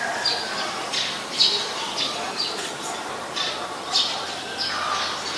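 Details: Eurasian tree sparrow in Ubon Ratchathani, Thailand, 10 May 2020, giving harsh, high chirps, about ten in five seconds at an uneven pace, over a faint steady background hiss.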